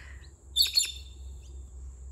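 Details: A female pet bird in a garden with small kangaroos nearby, in fine weather ahead of rain, gives two loud, harsh, high-pitched squawks, calling to other birds she hears in the distance.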